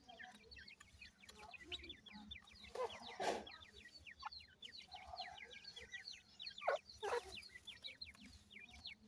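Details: Young captive partridge (teetar) chicks being fed alongside Iranian pheasant chicks, cheeping nonstop in a crowded chorus of short, high, falling peeps, broken by a few sharp knocks and rustling bursts.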